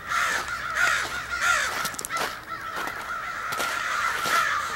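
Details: A large extended group of crows, possibly choosing mates, cawing harshly and continuously with many overlapping voices, calls tumbling over one another about one and a half per second, loud throughout.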